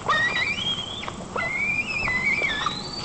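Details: Nest-camera recording from Nizhnyaya Kama National Park, Tatarstan, on 15 July 2024: a white-tailed eagle chick squeaks while mantling over a fish brought by a parent. Thin whistled squeals slide up and down in quick succession.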